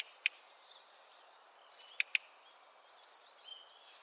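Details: Daurian redstart on its fledging day gives thin, high whistled notes about once a second, mixed with dry ticking clicks, in an otherwise quiet setting.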